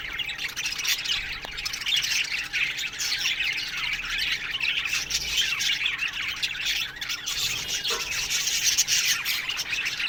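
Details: Ten seconds of continuous morning chatter from an aviary colony of Australian budgerigars, dense scratchy chirping from many birds over a faint steady hum.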